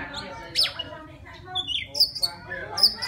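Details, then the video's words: Wild Oriental magpie-robin singing to attract a female: a steeply falling whistle, then a short slurred phrase and bright, piercing high notes. Faint low humming sits in the background. "Tiếng choè than rừng hót gọi mái"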